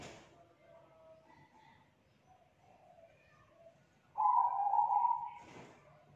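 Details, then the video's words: Young wild-caught spotted dove, kuk 2 type, with a thick loud voice: after faint background murmur, one strong, even low coo of just over a second, then a brief noise burst. "Tekukur KUK 2 Gacor Suara TEBAL Volume KERAS MERDU"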